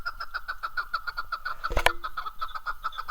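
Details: Chukar partridge (keklik) in Darvoz, Tajikistan, 2019: a rapid run of harsh chuk notes, about six to seven a second, steady and even, with one sharp click partway through and low rumbling underneath.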